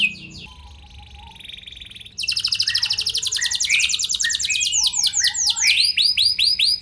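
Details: Canary in full gacor song, played as a lure to draw replies from other canaries. A quiet start gives way to a loud, rapid, pulsing trill that ends in a run of arching, swept notes.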